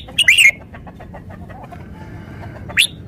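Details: Short, lively warbled phrase from a red-whiskered bulbul, followed by soft ticking sounds and a single rising chirp near the end over low background noise.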